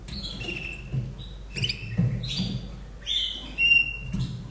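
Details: Caged Slavujar singing bird in Austria, hatched in 2011, giving a short uncut song: varied whistled and trilled phrases, some level and held, some sliding, in short bursts with brief pauses, over low background rumble.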